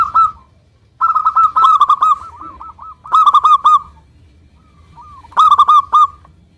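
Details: Lure song of a local zebra dove in full voice, used to prompt other doves that have stopped singing: rapid runs of soft, rolling coo notes in four bursts separated by short silences, against a quiet background.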